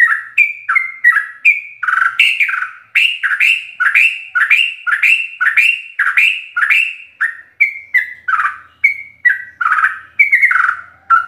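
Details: Sooty-headed bulbul full fill-in song for training captive birds: lively sequence of chirpy, mellow whistled notes, rising and falling, with a few brief gaps between bursts.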